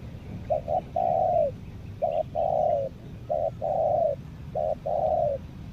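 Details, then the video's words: Caged spotted dove used as a lure for wild birds on Lombok, repeating a rhythmic phrase: one or two short clipped coos followed by a long, slightly falling purred note, four phrases in under six seconds over low background rumble. "PIKAT TEKUKUR"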